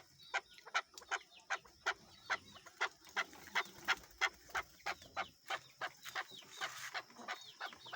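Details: Tame male chukar kept as a desi bird and set free outside, uttering spaced, sharp chuk notes, roughly three each second, clean and evenly timed over eight seconds against quiet background.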